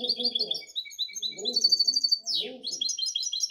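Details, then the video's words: High, fast twittering song from a goldfinch hybrid, bright chirps strung together, a sharp downward buzzy note midway, and short bursts of Spanish speech between phrases. "Mi mixto de jilguero"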